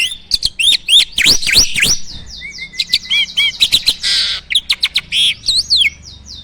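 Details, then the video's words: Rich varied song of a captive jalak starling in full isian style, swooping whistles and chatter, a harsh hissing burst, then quick repeated ticking notes. "Burung jalak gacor full isian!"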